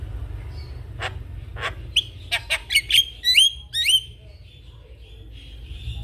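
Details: Javan myna song meant for training young mynas: a few dry clicks build into five or six loud, rising whistled notes with buzzy edges, then fade to quiet over a low background hum.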